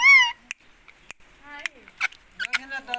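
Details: Pakistan ring neck parrot giving one loud, arched, harmonic screech at the start, followed by scattered sharp clicks and brief squeaky notes over near silence.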